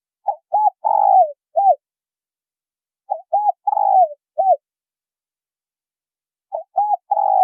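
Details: Cooing of a male and female spotted dove used to lure wild birds. Three phrases roughly every three seconds, each two quick coos, a long slurred falling coo and a short end note, with no other sound.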